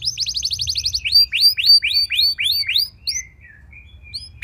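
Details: Canary singing as a prompt for other canaries: a rapid buzzy trill, then loud rising-falling whistled notes repeated about six times, fading into soft thin notes.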